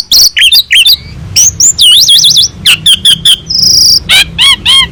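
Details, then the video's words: Asian pied starling master song used to teach other birds: dense, varied sequence of shrill chirps, wavering warbled whistles, a harsh buzzy note, and repeated ringing squeaks. "Masteran burung jalak suren gacor"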